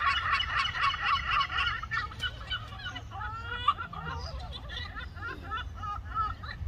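Several gulls call over one another in harsh, nasal, laughing bursts, quick and overlapping at first, then more scattered, with a low rumble of wind or surf beneath.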